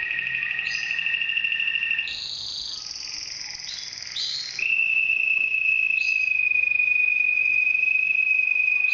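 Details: Red mosaic canary with milky white plumage and orange wing stripes; long held whistled notes give way to a brief burst of bright trills, then a sustained high steady note returns.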